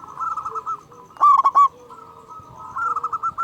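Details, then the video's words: Local zebra dove with a big voice, played to provoke quiet caged doves into calling. A single loud burst of three clipped, mid-pitched coos stands out between softer rolling coo phrases from other doves. "Perkutut Lokal Gacor Suara Besar Pancingan Burung Perkutut Agar Cepat Bunyi"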